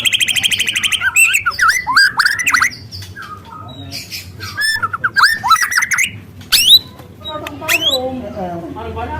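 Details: Loud canary-like song of a young wild white-rumped shama, used as a lure: a rapid harmonic trill opens, then varied slurred whistles and sharp high sweeps, over a steady low hum.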